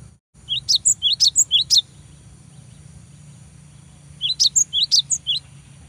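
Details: Cinereous tit song used to provoke a rival into singing: short bursts of high, sharp, quickly repeated two-note phrases, one at the start and one near the end, over a steady low hum of background noise.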